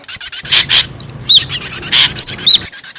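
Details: Busy, noisy ashy drongo lure calling: rapid harsh rasping bursts interspersed with several sharp, arching whistled notes.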